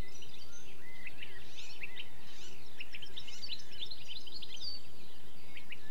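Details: European goldfinch (Carduelis carduelis), song.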